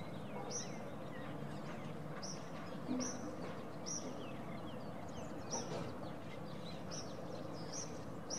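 Common grackles give short, high, squeaky notes about once a second, some with falling tails, over a steady low rumble of traffic or wind.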